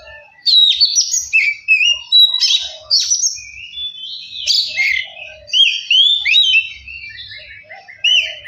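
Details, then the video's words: Oriental magpie-robin song, played to make a lazy bird start singing and get fired up: rich varied phrases of whistles, slurred rising and falling notes and harsh buzzy bursts, delivered in quick bursts with short gaps. "Kacer males bunyi jadi gacor 🔥 pancingan Kacer biar cepat gacor dan emosi"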